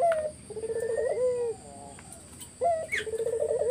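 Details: Spotted dove song played as a lure to draw answers from other doves: a low sliding coo, then a rapid pulsed rolling phrase ending in a drawn-out falling note, repeated twice, with faint whistled tones behind.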